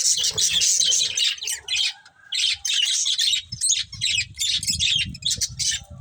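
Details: Chirping budgies: steady stream of raspy, high twittering chatter in bursts, with a faint low rumble of background noise through the second half.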